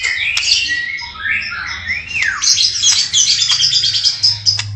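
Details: Song of a white-rumped shama, described as full of varied filler phrases: long gliding whistles rising and falling, then dense high twittering. A steady low hum runs underneath.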